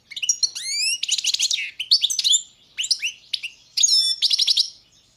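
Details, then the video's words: European goldfinch, Carduelis carduelis balcanica, in a 2022 world championship song entry: climbing whistled notes leading into buzzy trills, a short gap, then more rising twitters and a final rattling trill. "Pesma štiglića 005/22 World Championship in Goldfinch Song"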